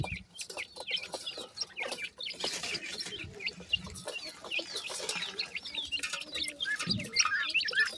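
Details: Brood of francolin chicks, known locally as teetar, keeping up a dense chorus of high, short, piping cheeps that overlap continuously, with light tapping and rustling underneath.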